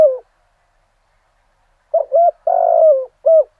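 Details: Decoy spotted dove singing in the thổ voice style at dawn, used to provoke wild doves: a falling coo tail, a pause, then a low phrase of two short coos, a long drawn falling coo and a final short coo.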